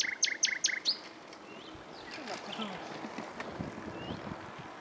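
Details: Spring song of a common nightingale in bushes on 27 April 2021: four quick, loud, clipped notes open the clip, then it falls to quiet background noise with faint distant chirps.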